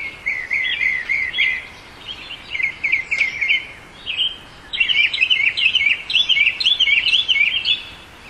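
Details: Song of a Northern mockingbird: bursts of rapid twittering trills and jumbled chirps, some phrases repeated, broken by brief pauses, ending in a dense run of quick varied notes.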